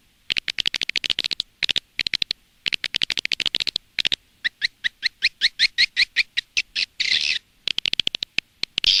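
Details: Edible-nest swiftlet lure sound from Indonesia, broadcast outside a swiftlet house to draw birds in: rapid trains of sharp clicks, then faster ticking and buzzy high twitters near the end.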